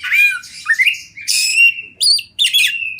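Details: Champion Oriental magpie-robin from the wild, recorded as a tutor song for training: loud whistled and buzzy phrases, some sliding downward, broken by short harsh squawky bursts and brief pauses.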